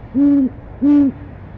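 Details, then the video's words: Two steady, low hoots about half a second apart, each flat and sustained, given by an owl on a nest cam calling for dinner in January 2015. "Mrs T calls for dinner"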